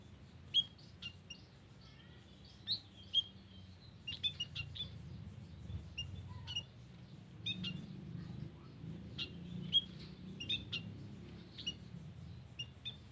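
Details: White-headed munia calling in a garden, recorded as a lure: many quick, high, squeaky chirps and clicks in irregular bursts across the recording, with low rumbling background noise.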